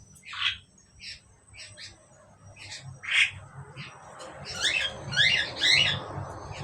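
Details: Two Asian pied starlings: scattered short squeaky chirps and two louder harsh notes, then a fast run of three raspy chevron calls toward the end over a rising low rumble.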